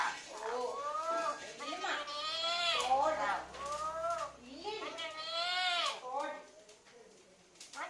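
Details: Pet parrot talking indoors in a run of wavering, nasal, word-like phrases. Their pitch bends up and down in curved syllables, with brief pauses and a quieter stretch at the end.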